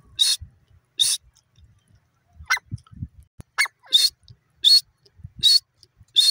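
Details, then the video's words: Francolin (teetar) calling: short, harsh, high-pitched notes repeated roughly every 0.7 seconds with brief gaps, with faint low thumps and rustling underneath. "teeter bird playing, teeter ki awaz, teetar bird ki awaaz"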